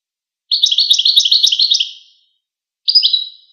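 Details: Goldfinch giving a rapid, continuous chattering twitter of high-pitched notes for about one and a half seconds, then a short pause and a second burst of the same chittering; no other sounds.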